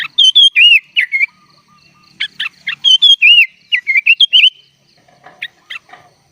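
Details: Sooty-headed bulbul in full 'isian' song. Varied phrases of slurred, dipping whistles and short bright notes, then a quieter stretch with a few soft chips near the end.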